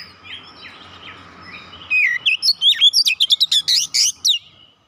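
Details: Kacer, the magpie-robin, singing as a lure for a bird that has stopped singing: low warbling with background hum, then a loud fast sequence of sharp chirps and whistles, about a dozen notes.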